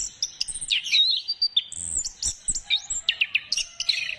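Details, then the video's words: Orange-headed thrush song played to spur birds into singing: a rapid, varied stream of high whistles, sweeping slurs, and sharp chip notes tumbling together with no pause, loud and bright against a quiet background. "Gacorkan Burung Anis Kembang Dengan Pancingan Suara Ini"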